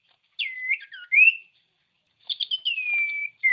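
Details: Common iora song, a training recording meant to provoke lazy ioras into singing: clear whistled notes, one sliding down then a rising slurred whistle, a pause, then a burst of chirps leading into a long, steady, slightly falling whistle.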